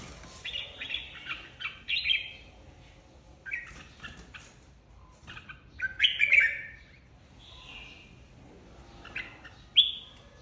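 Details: Flock-leader red-whiskered bulbul in a singing contest: a series of quick warbled, whistled phrases spaced a few seconds apart, some rising sharply, with faint clicking noises between them.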